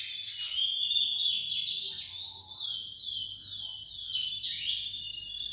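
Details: Lesser seed finch song played as a tutor for a young bird: a long sweet whistled warble held high, broken by a short gap before a bright new phrase.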